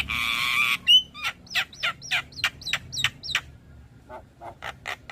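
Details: Javan myna song used as a lure to get stalled, stressed mynas singing: a dense buzzy burst, one clear whistle, then a row of harsh, rasping, falling notes about three a second. These fade into softer, spaced notes over a low hum.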